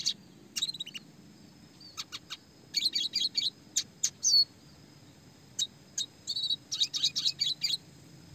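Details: Red siskin classic song used as training material for small fighter songbirds, described as clear with rolls, shooting notes and fast tight tempo; bursts of high, thin chirps and trills separated by short pauses, low background hum.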